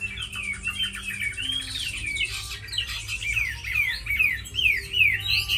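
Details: Tame Chinese hwamei singing loose sequences of short whistled notes and downward-slurred phrases, repeated at a brisk uneven pace, against a humming, slightly noisy background.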